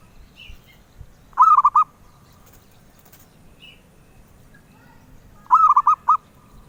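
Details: Zebra dove, valued by collectors for its melodious voice, sings two cooing phrases about four seconds apart, each a quick run of four or five low, hollow rolling notes, over a quiet background.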